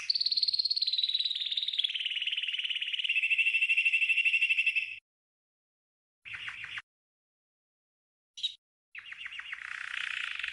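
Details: A green canary, from a canary training song, sings a fast, rolling trill for about five seconds, easing slightly lower in pitch, then adds brief buzzy bursts between pauses.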